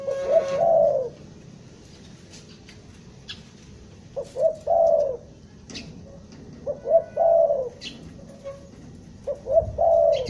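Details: Captured spotted dove from Bandung calling as a lure for trapping, gagap (stuttering) style: four low cooing phrases about two to three seconds apart, each with clipped opening notes and a longer hoarse coo, over faint clicks.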